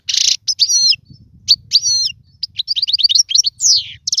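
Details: Goldfinch song for teaching young birds: a harsh buzzy burst, then twangy arched whistles and a quick run of chirps, ending with a falling slur and another buzz.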